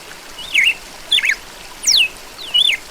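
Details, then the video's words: Red-cowled cardinal giving four short whistled notes, swooping up or down in pitch, roughly two-thirds of a second apart, with quiet background hiss. "DURMA AO SOM DOS PASSAROS | GALO DA CAMPINA"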